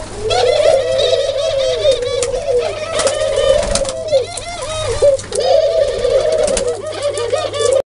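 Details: Dove cooing in low, throaty, wavering phrases repeated several times over a background of busy chirping from other birds and some room noise.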